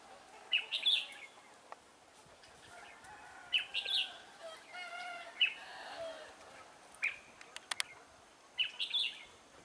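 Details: Caged red-whiskered bulbul used as trap decoy to lure wild birds, December 2016: short bright chirped phrases repeated about every one and a half to three seconds, with faint clicks and rustling between.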